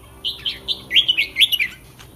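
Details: A red-whiskered bulbul, caged in Thailand and preparing for a contest, delivers one rapid phrase of about seven bright, slurred whistled notes in under two seconds.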